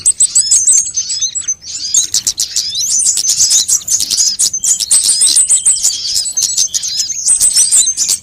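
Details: Mixed sunbird calls used as bait to make birds start singing: nonstop high, tinny twittering with many quick rising and falling slurs and frequent crisp clicks throughout.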